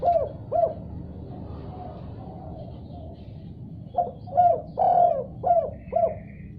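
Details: Answering another call, a spotted dove gives a quick pair of coos. Faint soft notes follow, then a clear phrase of five hollow coos with an elongated middle note.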